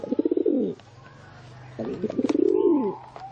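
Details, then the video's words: Pigeon cooing: two low, throaty rolling coos, each starting with quick pulses and swelling into a drawn-out falling note, separated by a short pause; a faint steady hum sits underneath. "เสียง นกพิราบ"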